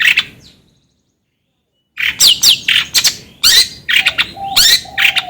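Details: Long-tailed shrike calling: after a brief opening note and a silent pause, a loud run of harsh, scratchy downslurred and chattering notes follows, with a couple of short level whistles near the end.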